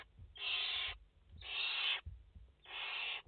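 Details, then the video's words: Three long, rough, hissing screeches from barn owl chicks, a brood of five in the nest, late August 2021, each lasting about half a second with brief pauses. "Chouettes effraies en direct - Płomykówki - Obecnie w gnieździe 5 piskląt"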